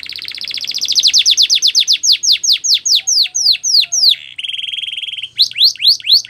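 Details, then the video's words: Training song of a canary: a quickening series of high swooping notes turning into loud spaced downslurs, a level buzzy roll with a faint low whistle, then more sweeping notes. "Canary's Most Powerful Song For Training"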